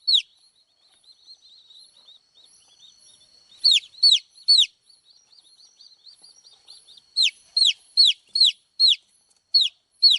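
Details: Soft, faint twittering from baby chicks gives way to loud, falling peeps in uneven groups, high and clear against a quiet background.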